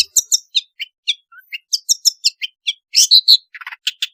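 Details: Long-tailed shrike in full, lively song with varied fill-in notes, usable as a lure for shrikes reluctant to sing; high chirps and short whistled notes in quick bursts, with a louder harsher cluster near the end.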